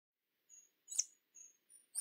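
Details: Hummingbird giving a few short, very high, thin chips spread over two seconds. One chip is sharper and louder than the rest, with faint high tones between them on an otherwise silent background.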